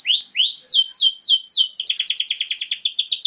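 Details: Domestic canary singing to prepare females for mating: loud, high tour of rising swept whistles followed by a fast, even trill of repeated downslurred notes, clean with no other sounds.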